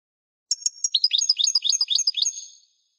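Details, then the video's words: European goldfinch pouring out a quick tinkling twitter of repeated down-slurred notes, about four per second, over a thin steady high tone, fading at the end; no other sounds. "chant de chardonneret"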